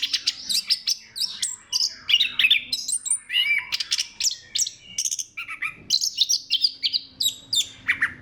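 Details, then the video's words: Orange-headed thrush in full, crystal-clear song, used as a lure to stir other thrushes into singing: a rapid, unbroken stream of varied whistles, trills and sharp chirps, mostly high-pitched, with short slurred rising and falling phrases packed closely together. "KICAUAN SEBENING KRISTAL ANIS KEMBANG GACOR PANCINGAN MANJUR"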